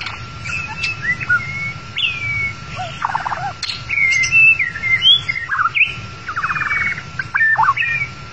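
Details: White-rumped shama song used as a trapping lure: a busy run of whistles, chirps and rapid trilled buzzes with quick upward slides, steady low background rumble throughout.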